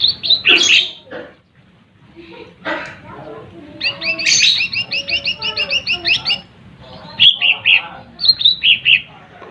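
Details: Lesser green leafbird singing to stir up rival birds: loud clustered chirps, a rapid rattling series of doubled high notes, then spaced bright whistled phrases repeated about every half second.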